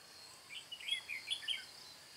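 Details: Red-whiskered bulbul with white cheeks, used as a decoy in bird trapping on 22 June 2018, delivers one quick bright chirping phrase of several rising and falling notes. A faint high insect hum runs beneath.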